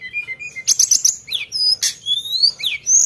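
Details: Sunda bush warbler singing sharply: rapid high trills and chips open into bright whistled slurs, some rising and some falling, packed closely together with few gaps.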